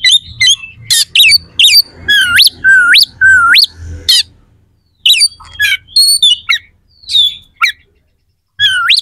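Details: Provocation song of a prolific kacer, the oriental magpie-robin, with rough sharp fillers for contest training: several loud rising whistles swooping upward, mixed with harsh buzzy notes, then a lull and a final upswept whistle.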